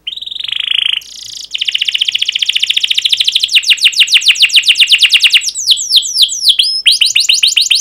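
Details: Canary singing continuously, used to prompt other canaries to sing: a buzzy trill near the start, then rapid repeated downward-sweeping notes, 'cuit cuit' chirps and long rolling trills, all high-pitched and loud.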